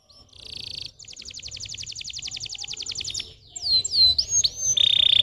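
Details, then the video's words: Stimulating canary song meant to get young, reluctant canaries singing: a buzzy high burst, then a long even trill of rapid notes, followed by loud swooping whistles and a steady piping tone. "PANCINGAN KENARI BAHAN Ampuh & KENARI PAUD MALAS BUNYI"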